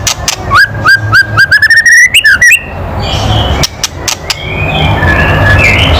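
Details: White-rumped shama, murai batu, loud kretekan calls used to provoke other birds to sing: a run of rapid whistled notes rising near the end, then a quieter stretch with faint chirps.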